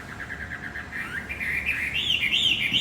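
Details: Lure song of a Javan white-eye for a male bird gone silent: a soft high twittering that rises into brighter, sharper slurred whistles toward the end, with faint background hiss.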